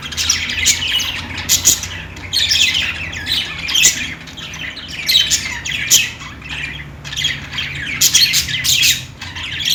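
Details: Playing budgerigars give harsh squawky chirps and rapid scratchy warbling, one burst after another with little pause, while a low steady hum sits beneath.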